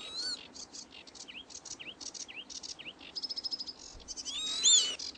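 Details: Foraging Northern lapwing chicks give thin, high notes that dip and rise, about twice a second, among buzzy high chirps and a short rapid trill.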